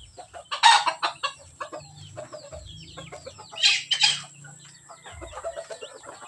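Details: Rural Philippine chickens in mating season, loud harsh squawks at about 0.7 and 4 seconds amid rapid clucking bursts, with a faint low hum in the background.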